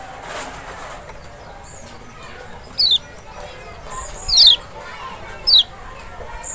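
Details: Lure sound of the Lemon-bellied white-eye (Kecial, Lombok or Sumbawa), used to coax a bird that is lazy to sing: three thin, high, quickly falling notes spaced about a second apart over a faint hiss, with soft voices early on.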